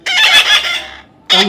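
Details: Young parrot during taming, one long grating screech that fades out, then a second harsh squawk begins abruptly.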